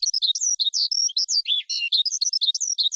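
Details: Rapid, unbroken skylark song made of bright chirps and quick whistled slurs, with a couple of lower buzzy notes midway; only the one bird is heard.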